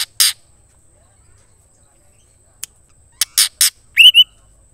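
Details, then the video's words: Female white-rumped shama calling the male, a call said to excite males into singing: harsh broadband chack notes in short bursts, a pause, then three more chacks and a sharp rising whistled note. "murai betina Memanggil jantan"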